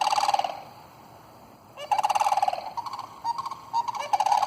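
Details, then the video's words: Sandhill cranes in a flock of some 27 birds, disturbed by a dog, give overlapping rolling bugles. A pause is followed by a dense run of rattling calls from several birds at once. "Sandhill Cranes calling sounds"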